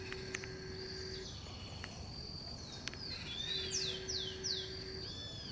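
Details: A flock of Scaly-headed Parrots (Pionus maximiliani) perched in garden eucalyptus trees: four quick, shrill, down-slurred notes in a little over a second, over steady high whining tones and a low background hum.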